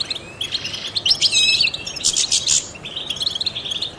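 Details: Brief burst of European goldfinch song from a trained bird, used to stimulate other songbirds. Bright, high chattering notes swell into a louder buzzy trill, then ease into softer twittering, with hiss behind.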